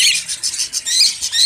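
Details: Caged budgerigars in a breeding setup in Pakistan during the summer heat, giving dense, high, scratchy chattering with overlapping warbles and short squeaky notes throughout.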